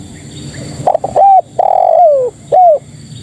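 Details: Spotted dove female calling to males: stuttered opening coos lead into a long, rough coo dropping in pitch, ending with one short clear coo, close and loud.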